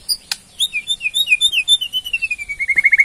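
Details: White-rumped shama of the Borneo form giving a ketrekan, a rattling call used to draw a response from other birds: a rapid run of about twenty short, sharp, high whistled notes that slide downward, with a brief click near the start.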